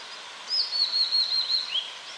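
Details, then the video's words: A hill blue flycatcher gives a high, thin, sweet, slightly wavering warbling phrase of about one and a half seconds over faint background hiss; a song-training recording for songbirds. "Masteran Burung Tledekan"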